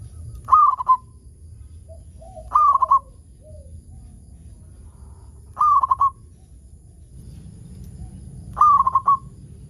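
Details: Steady song of a local zebra dove, played as a lure so other zebra doves start singing: four rolling, stuttered coo phrases about two seconds apart, each ending in quick clipped notes, over a low rumble.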